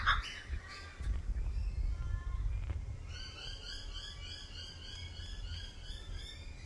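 A kookaburra gives a fast run of repeated, harsh, cackling notes in the second half, over a steady low rumble of wind or traffic.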